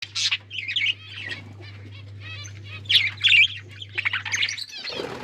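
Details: Budgerigars, a colony of kept birds, chirping and chattering in quick high bursts with pauses between, some warbled notes and squawks, over a steady low mains hum.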